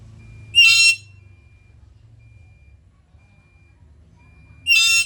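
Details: Black-capped lory calling: two brief, grating screeches about four seconds apart, with near silence and a faint low drone in the gap.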